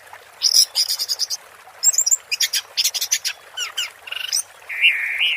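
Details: Orange-headed thrush singing in the teler style: a rapid run of varied high chirps, trills and buzzy notes, ending in a sustained warbled phrase, with no other clear sounds.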